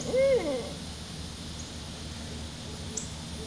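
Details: Barred owl, with two birds present, gives a single loud hooted note that swells and drops slightly at the end, then fades into faint trailing tones over a steady background hiss.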